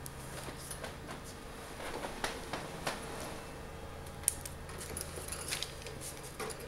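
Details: Indoors in a small room, soft clinks, taps and jangles over a steady low hum, with a few sharp clicks and no animal voice.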